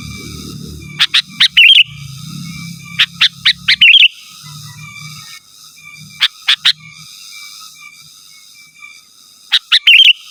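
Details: Sooty-headed bulbul song without mixed-in songs of other birds, used to call rivals and lure wild birds. Sharp ticking notes lead into short bubbly warbled phrases, repeated in three bursts separated by pauses, over a faint steady hum.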